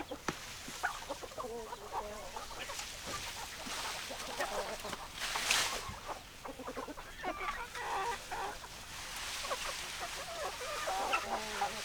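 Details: Hens clucking in scattered bursts of short, rough notes over a constant hiss, with a louder, noisier patch around the midpoint.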